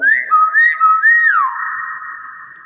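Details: Indoor common hill myna giving a clear whistle: three quick rising-and-falling slurred notes over a steady tone, ending in a long, level, fading whistle.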